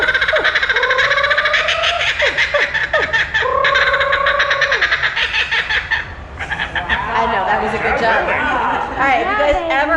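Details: Merlyn, a laughing kookaburra hatched at SeaWorld Orlando and shown as an animal ambassador in 2019, gives its loud, rollicking laugh: rapid, harsh chuckles rising into drawn-out, hooting peals, with a presenter's voice and an audience around it.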